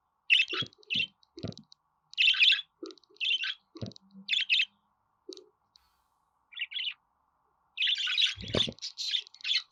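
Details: Budgerigar warble meant to prompt caged pet budgies to sing: scattered buzzy chirps and clicks, a dense chattering run near the end with a low thud.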